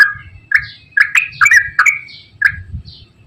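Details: Straw-headed bulbul in a long, rapid 'gacor ropel panjang' song used as a lure for bulbuls that rarely sing: short rich warbled notes in irregular bursts, some sliding upward, with a thin sustained tone between them and faint low rumble.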